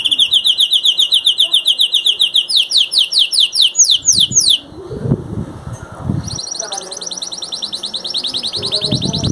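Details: Canary, one of three master singers, singing rapid trills that change into slower descending swept notes, a brief pause with rustling, then another fast high trill.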